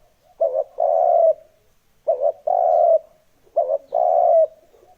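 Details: Spotted dove calling as a lure for wild doves. Three clear phrases, each a short bubbling coo and then a longer, slightly falling croo, spaced roughly one and a half seconds apart, with near silence between.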